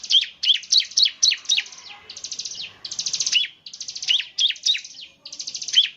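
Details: Bar-winged prinia singing in semi-active form, said to set other prinias calling rapidly; high sharp chirps in quick bursts, each note dipping then rising, broken by a buzzy rattling run of notes midway.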